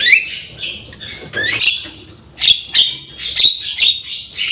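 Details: Javan myna song made of scratchy, raspy squawks and brief rising whistled notes in irregular bursts, separated by short gaps, with background hiss.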